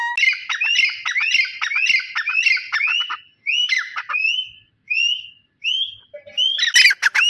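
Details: Francolin (teeter) calls, one of several call types: a rapid series of harsh, upslurred notes repeated about every quarter second, then spaced single rising whistled notes, ending with loud squawky bursts.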